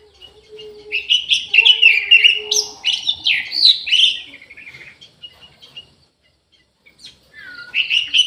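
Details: Orange-headed thrush singing in an aviary, a loud, varied run of rich whistled and warbled phrases over about four seconds, then a pause and a fresh burst of song.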